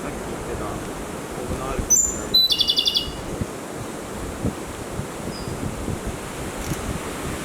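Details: Japanese robin of the endemic tanensis subspecies of the Izu Islands, Tanegashima and Yakushima, singing on a dim forest floor in strong wind, recorded with a Canon EOS 80D: a thin high whistle, then a short rattling trill of about eight notes, over steady wind roar.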